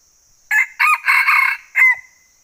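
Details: Male red junglefowl crowing in a forest of northwest Vietnam during the junglefowl trapping season; one loud crow of several harsh broken syllables over about one and a half seconds, ending in a short separate note, above a steady high insect hum.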